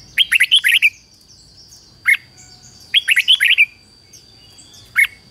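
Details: A decoy red-whiskered bulbul calls wild bulbuls with two six-note whistled phrases, each followed by a lone sharp note about a second later. A steady high tone hums underneath.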